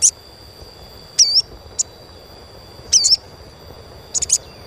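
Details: Chirping of an Asian pied starling meant to prompt young starlings to sing: three groups of sharp high chirps about every one and a half seconds, including bent, wavering notes, over a constant thin high hum.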